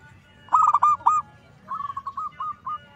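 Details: Lure song of an actively singing zebra dove: a loud bubbling, rolling coo phrase, a pause, then a softer trailing series of short mellow notes.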